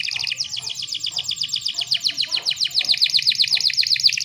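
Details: Female canary in heat, played to stimulate males into singing. A dense, fast, high rolling trill of tightly repeated notes runs throughout, with soft low clicks and a faint background hum.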